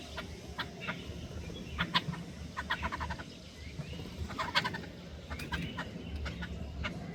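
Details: Hungry jungle babblers (ছাতারে পাখি) struggling for food: harsh, rasping chatter notes in short bursts, some grouped into quick series, over a low rumbling background.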